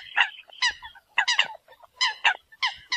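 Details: Eurasian coot calling the flock: harsh, nasal honking notes in short bursts, several birds overlapping, with brief pauses between groups of calls.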